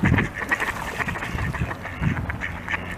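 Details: Khaki Campbell duck making soft, muffled quacks in loose sequence, interspersed with deeper low grunting sounds.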